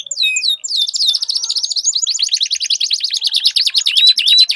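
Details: Canaries in a song duel meant to rouse silent birds: a few sharp falling notes, then an extended warbling roll with rapid chattering trills and a rising whistle near the end.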